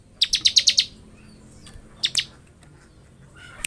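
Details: Bar-winged prinia giving a fast burst of six sharp, high ticking notes in ngebren style, followed by quieter isolated chip notes over a soft background hiss.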